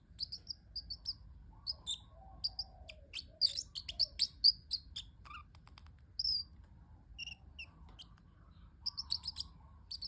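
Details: A pet parrotlet giving cute high chirps, some loud and sharp, in irregular runs, with brief soft low chattering notes in between.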